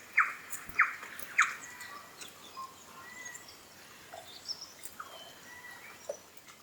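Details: A New Zealand bellbird (korimako) at Kapiti in winter, feeding on insects: three loud, clear, ringing notes in quick succession open the passage, then softer scattered chirps and thin whistles over quiet rural background.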